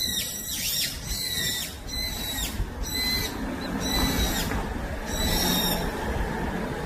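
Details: A Brown-eared Bulbul in the forest of Gyeyangsan mountain gives loud, shrill, slurred calls, repeated roughly once a second, over a low rumble of wind or distant noise.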